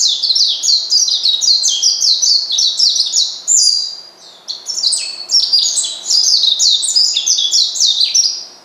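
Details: Caged Oriental white-eye calling to provoke a rival: a dense run of thin, high, rapid chirping notes and descending twittering phrases, continuous with a brief pause near the middle.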